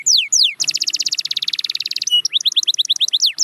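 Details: Canary song used for song training: two sharp descending whistles, a fast rolling trill of rapid pulses, then a series of quick rising chirps and a final downward sweep.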